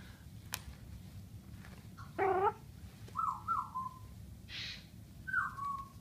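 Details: Pet military macaw indoors with bathroom towels; a short warbling note followed by soft descending whistled coos, over steady low background hum.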